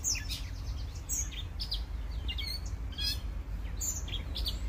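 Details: Several birds singing at sunrise, giving bright high chirps, quick downslurred notes and short trills in irregular bursts, with a constant low background rumble underneath.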